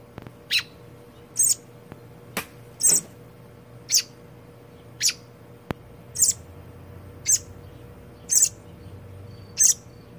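A robin gives short, sharp, high ticking notes, roughly one per second, over a faint steady low hum.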